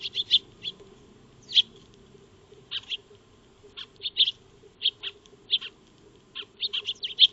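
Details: Backyard Eurasian tree sparrows at a feeding spot, recorded by a solar trail camera: sharp high chirps in ones and twos, spaced irregularly every second or so, over a faint low electrical hum.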